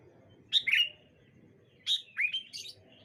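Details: Bright morning with sooty-headed bulbuls calling to each other; two short clusters of bright, slurred chirping notes over a soft low background rumble.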